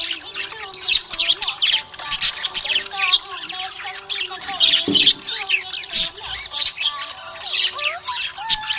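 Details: Happy budgerigar keeping up a nonstop warbling chatter of fast chirps, clicks and squeaks, with a soft thump partway through and steady tonal music underneath.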